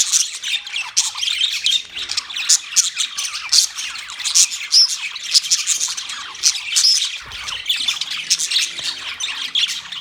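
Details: Budgies in a busy chorus of rapid, scratchy chirps and squawks, high-pitched and unbroken, with occasional clearer whistled notes standing out.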